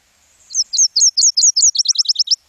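A Nashville Warbler sings six high, sweet, slurred notes, then ends in a quicker, tumbling run of thinner notes, all over in about two seconds.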